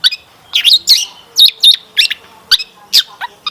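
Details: Long-tailed shrike lure song with varied fill phrases: a quick cluster of loud twisting chirps, then spaced single sharp notes that fade toward the end.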